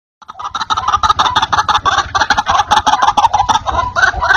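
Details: White-breasted waterhen calls played as a lure to draw in wild waterhens: a dense, fast run of harsh, croaking notes, about three a second, overlapping and unbroken after a brief silent start.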